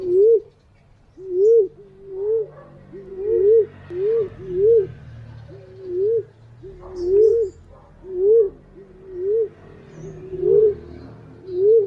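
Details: Green pigeon calling, recorded as a lure: roughly thirteen soft whistled notes, each bending up then down, some in quick pairs, repeated about once a second against a quiet background.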